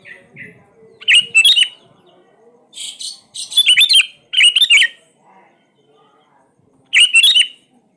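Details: Lure recording of a vigorously singing sooty-headed bulbul, meant to spur birds that rarely sing: short bright, gurgling whistled phrases repeated at intervals of about a second, with faint softer chirps between them.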